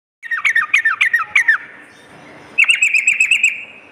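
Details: Sooty-headed bulbul at night, recorded as therapy to lift the fighting spirit of caged trucukan; two bursts of quick, sharply dropping chirps, about six notes each, separated by a brief hush over faint background hiss.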